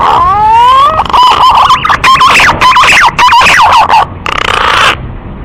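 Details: Male green pigeon calling a female in a lure recording: a long rising whistle with bright overtones, then a rapid run of short warbled, wavering whistled notes, ending in a fuzzy burst.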